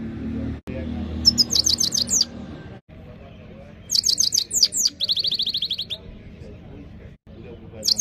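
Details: A Himalayan goldfinch sings a clean training song: high, rapid chirped notes in short runs, then a longer phrase with a fast descending series of repeated notes, over steady low background hum.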